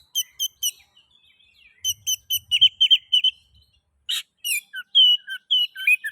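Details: Oriental magpie-robin (kacer) lure song to encourage other magpie-robins to sing: thin repeated chips, a dense stuttering string of whistled notes, one sharp burst, then varied slurred whistles and chirps.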